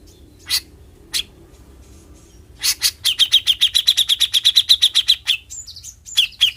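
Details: Grey-cheeked bulbul, locally cucak jenggot, in besetan mode: two isolated sharp clicks, then a long rattling run of fast, evenly spaced chips, followed by a few high squeaky whistles.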